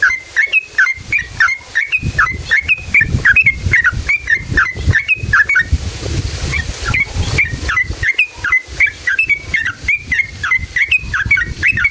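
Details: Sooty-headed bulbul song used as a lure to provoke other bulbuls into singing: a long run of short bubbly whistled phrases, each quickly repeated, several per second, with a brief noisy break midway.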